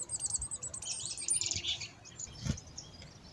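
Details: Wild black-capped chickadees being hand fed, giving a dense run of high, thin chips and twittering notes for about two seconds, then scattered faint calls over low rustling and a single soft thump.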